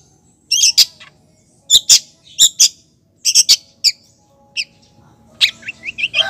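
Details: Female long-tailed shrike calling the male: clusters of rasping high notes, then a few thin whistled notes and a faster, varied twittering phrase at the end.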